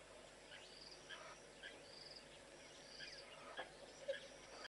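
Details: A male southern masked weaver (Ploceus velatus) gives faint, buzzy, sizzling chatters, with thin high buzzes and short scratchy notes roughly twice a second, over a soft background hiss.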